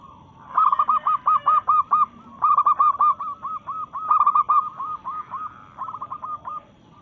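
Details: Local zebra dove in breeding mood, singing to challenge rivals: bursts of rapid, stuttering cooing notes repeated in quick runs, with a quieter cooing dove audible in the background.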